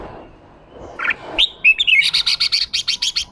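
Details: A caged red-whiskered bulbul, caught from the wild and being provoked into 'ché' singing, gives a few whistled slurs. These are followed by a rapid even chatter of about a dozen scratchy notes.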